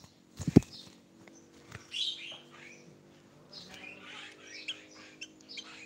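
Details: A tame sooty-headed bulbul gives scattered bright, chirpy notes in short bursts, after a couple of dull knocks and rustles near the start.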